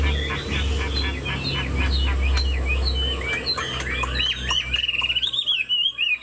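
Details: Caged Chinese Hwamei, a male described as 90% pure-bred, singing while flicking its wings and nodding its head. Rapid, varied whistled phrases rise and fall between mid and high pitch over a steady low hum.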